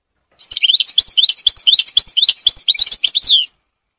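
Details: European goldfinch singing wild in a forest, a fast, continuous run of tinkling, liquid twitters and chirps lasting about three seconds before stopping abruptly.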